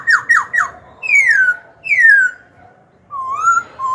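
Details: Black-throated laughingthrush, young and kept in a cage, its song used to provoke rivals and train young birds: three quick falling notes, two long descending whistles, then wavering mellow rising phrases.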